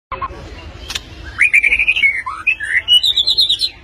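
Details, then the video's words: White-rumped shama of the white-patched blorok type singing sharply: a bright, quick run of rising and falling whistled slurs that climbs steadily higher, ending in rapid high chips, over a low background hum. "Murai Batu Blorok Nembak Tajam"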